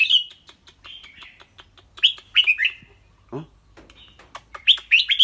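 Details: Caged red-whiskered bulbul with a clear voice, singing and chattering: rapid runs of bright whistled notes repeated in bursts, interrupted once by a man's short low hum.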